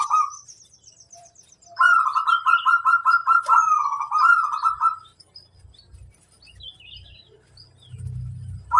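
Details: Local zebra dove, kept as a singing bird and played to train others to sing, giving a long rolling coo at mid pitch: a quick run of evenly repeated, bubbling notes for about three seconds, with faint low rumble afterward.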